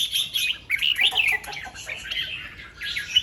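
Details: Red-whiskered bulbul singing in the morning in the 'double 2-3' and 'rik' styles: bright warbled phrases rising and falling, with quick whistled notes and short pauses between bursts, and a faint high hiss above.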